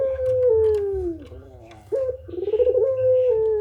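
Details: Puter pelung dove in full calling, used as a training recording for other doves. A long, low, steadily falling coo is followed by a quick stuttering burst and another sustained coo.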